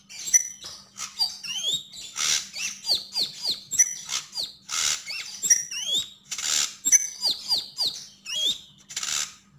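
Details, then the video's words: Javan grey-throated white-eye singing gacor and ngobra: quick high chirps and downward-sliding notes, repeated in clusters, alternating with loud hissing rasps and rising whistled sweeps. "Sogon sogok ontong gacor dan ngobra"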